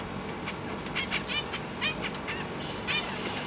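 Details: Zebra finches caged with three juveniles and three fresh fledglings, recorded on a GoPro Hero 8 Media Mod: repeated short nasal beeps with bright stacked harmonics, several in close pairs, over steady broadband hiss.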